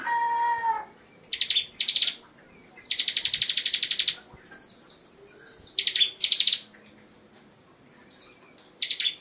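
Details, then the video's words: Bar-winged prinia (ciblek) in a rapid 'tembakan rapat' song style, kept as a filler recording for tutoring other songbirds such as magpie robins and laughingthrushes; a short tonal note opens, then bursts of very fast, buzzy high trills, including one long dense run. "Ciblek tembakan rapat"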